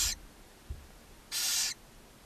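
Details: Barn owls in a nest box on a chimney side in Ságvár, Hungary, on May 4, 2024, as the mother feeds her seven owlets: one harsh, breathy hiss lasting under half a second, after the cut-off tail of an earlier hiss.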